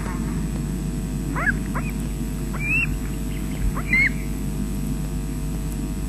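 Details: Osprey at a webcam nest at Loch Garten, Scotland, 20 June 2012 at 13:24, as an adult delivers fish to the chicks. A few thin, rising, whistled chirps stand out over a steady low hum.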